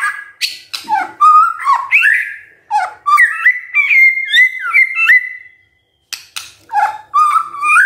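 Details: Morning white-rumped shama song played to spur silent birds to sing: varied clear whistled phrases sliding up and down, with quick pitch jumps and a short silent break.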